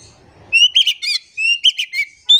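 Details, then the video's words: Oriental magpie-robin song used to coax silent birds to sing: long level whistles alternating with quick buzzy chirped notes, ending on a rising whistle. "PANCINGAN KACER GACOR. KACER DIAM MALAS BUNYI COBA PANCNG DENGAN KACER INI"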